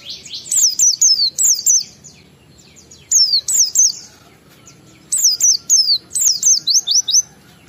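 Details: Oriental white-eye singing ngalas style as a lure to set other white-eyes singing: three fast volleys of high, sharp zigzag whistles, each with four to six notes, separated by short silences.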